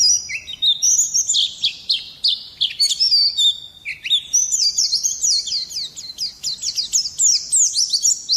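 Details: Oriental white-eye song: high, tumbling twitters, then a lower slurred note near four seconds followed by a fast series of sharp repeated chirps.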